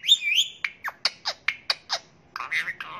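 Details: Talking Indian ringneck parakeet kept as a pet, giving wavering whistled notes, then a quick run of short descending chirps about five per second, closing with a harsher buzzy squawk.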